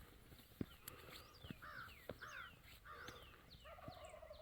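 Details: Wild turkeys gobbling in the early morning: a rapid, rattling, descending burst, with several birds calling over one another and sharp clicks between.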